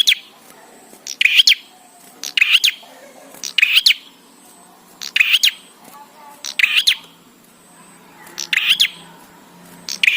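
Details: Bar-winged prinia song used to train birds to sing: short bright chirping bursts repeated roughly every 1.3 seconds, each a quick cluster of high sharp notes, over a quiet background.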